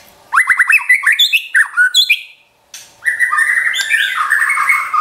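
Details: White-rumped shama song aimed at making a pet shama sing: quick stuttering rising notes in a tight series, a brief pause, then a dense rambling warble of varied whistles.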